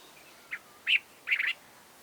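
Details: Cape bulbul from Southern Africa: a short note, a louder slurred whistle, then a quick bubbly run of three or four liquid notes, clear against a quiet background.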